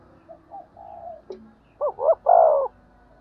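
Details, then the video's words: Spotted dove giving the urging 'thúc gù' coo used to stimulate decoy doves. Soft, faint cooing notes lead into one clear phrase of two short notes and a sustained descending coo. "cu gáy thúc gù// tiếng cu thúc gù hay dùng kích bổi hiệu quả"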